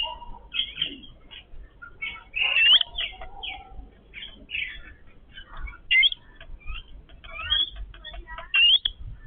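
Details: Yellow-billed babbler family eating together, chattering with many short squeaky notes and several clear upswept chirps every second or two. Light background rustle.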